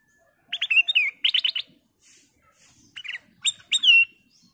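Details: Ruby-throated bulbul (kutilang emas), a persistent singer with a crystal-clear voice, used to set other birds singing. Fast trilled bursts of chirps and a drawn-out falling whistle are heard, with faint hissing between phrases.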